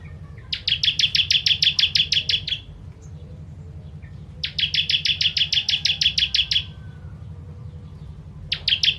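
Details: Bar-winged prinia (perenjak jawa) of Indonesia, 'kristal tembakan pedas' song for training birds: two full trills of quick metallic chips, each about two seconds, then a third starting, over a constant low hum.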